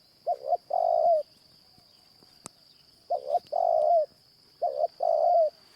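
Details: Morning coos of a Spotted Dove during decoy trapping with a caged bird. Three phrases each pair two brief notes with a longer even coo, with long gaps between. A single sharp snap sounds in the pause, and a faint high tone hums throughout.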